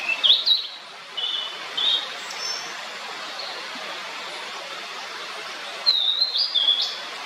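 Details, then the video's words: Blue-and-white flycatcher (Cyanoptila cyanomelana) giving clear, high whistled notes in short bursts, one phrase at the start and another near the end, over a soft outdoor hiss. "オオルリの鳴き声The cry of Cyanoptila cyanomelana"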